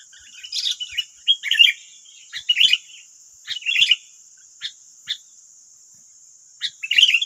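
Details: Wild sooty-headed bulbuls responding to a decoy: short clipped chirps and brief warbling bursts in scattered groups over seven seconds, separated by pauses, over a constant high-pitched hiss.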